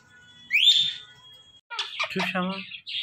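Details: Talking pet parrot gives a loud rising whistle that levels into a long steady tone, then after a pause a burst of chattery, voice-like syllables with a low humming background.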